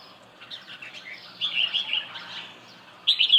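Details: Soft red-whiskered bulbul song: quiet chirps build into a sustained warbling phrase, then a loud bright burst of notes closes the passage over a low hiss.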